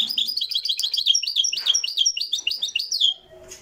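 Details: Live recording of a Moroccan goldfinch in continuous song: rapid, liquid twitters and slurred chirps repeated several times a second for about three seconds, then a quiet pause with faint low sounds.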